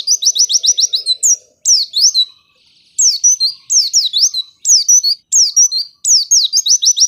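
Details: White-eye lure song to get lazy white-eyes singing: a rapid string of repeated high chips, followed by loud, sweeping descending whistles in several closely spaced phrases.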